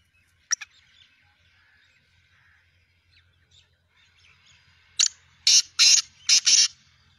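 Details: Black francolin call, recorded 2 January 2024: after a couple of faint clicks and quiet background, a sudden run of five loud, rasping high bursts, closely spaced, with a faint low hum beneath.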